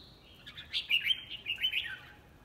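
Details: Red-whiskered bulbul singing in a song competition: a quick run of bright, warbling whistled notes, loudest mid-phrase, with a faint low hum underneath.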